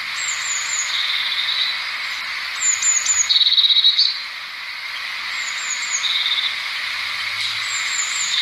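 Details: Blue tit singing: repeated phrases of high, sharp falling notes, one of them followed by a rapid even trill, against a constant high-pitched background hiss.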